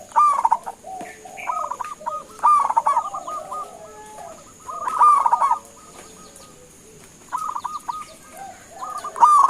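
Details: Local perkutut, the zebra dove of Indonesia, calling to draw answers from other doves: several overlapping doves give rolling, bubbling coo phrases in bursts about every two to three seconds over a constant high hum.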